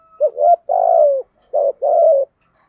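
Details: Spotted dove, a decoy bird cooing in the thổ voice style with an urgent, persistent delivery meant to make wild doves answer; four low, mellow coo notes, short ones alternating with longer drawn-out ones, in clean silence.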